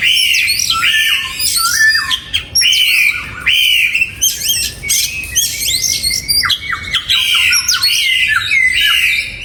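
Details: Oriental magpie-robin in song inside a breeding aviary, 2022; loud, rich, varied whistled phrases, clear sliding notes mixed with sharp chirps and quick rising and falling trills, delivered almost without pause with brief gaps.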